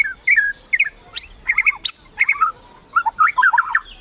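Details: White-rumped shama in kretekan style to provoke competitors: short warbled phrases of twisting notes with two sharp high upward flicks, pauses between bursts.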